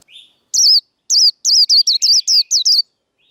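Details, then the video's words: Líu đấu fighting song by a caged Japanese white-eye: a soft opening chirp, then about ten loud, very high, slurred falling notes quickening toward the end. "Vành khuyên líu đấu. Kích lửa vành khuyên líu đấu"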